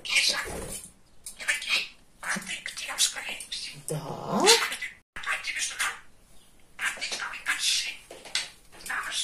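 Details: Talking male budgerigar kept as a pet, described as very chatty and funny, producing bursts of high, scratchy speech-like chatter in rapid phrases separated by short pauses, with one lower, fuller-toned passage midway.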